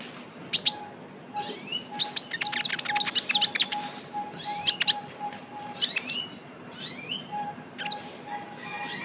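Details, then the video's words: Lure recording of a young Javan white-eye: bursts of sharp, very high chirps packed into fast twittering runs, broken by upward-slurred notes, over a thin constant hum. "PANCINGAN KONIN TROTOL GACOR (KOLIBRI NINJA)"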